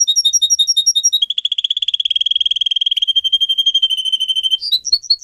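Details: Pet singer canary performing training song: rapid paired high notes give way to a long, dense, rattling roll lasting several seconds, then brief high chirps at the end.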